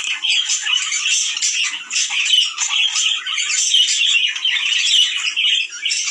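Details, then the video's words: Budgerigar chatter for stimulating breeding: rapid high warbles and chirps in rolling bursts, several birds overlapping, steady and busy to the end. "عندك طيور بادجي لا تتزاوج😔 الحل صوت يحفز الدكور والانات على التزاوج💯🥰"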